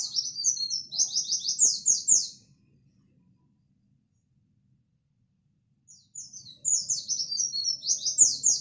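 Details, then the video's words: White-eye of a local type giving rapid, high-pitched twittering chirps meant to provoke rival white-eyes; two energetic bursts of slurred, down-sweeping notes with a silent gap between, faint low background hum. "Pleci bird singing/Di jamin emosi Pleci lokal Gacorrr"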